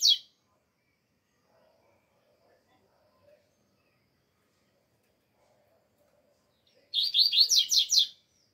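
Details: Double-collared seedeater singing in the alegria song style in still-cold weather: one sharp high chip, a long quiet pause, then a fast burst of about eight buzzy down-slurred notes near the end.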